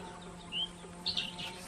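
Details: A backyard-kept quail, whose owners describe its sound as pleasant and not noisy, gives a thin, high whistled note, then a quick cluster of two or three sharp chirps, over a steady low hum.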